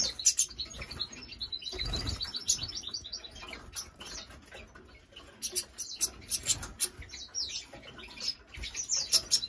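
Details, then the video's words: Hybrid of a European goldfinch with a female canary singing: rapid high twittering and chirping phrases, tinkling trills and short sharp notes that come and go, with a soft low thump near the start. "هجين الحسون مع انثى كناري جاسب"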